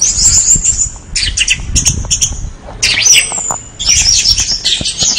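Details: Orange-headed thrush in vigorous song, high whistled phrases and rapid chirps in bursts with brief gaps, some harsh notes, continuous and varied.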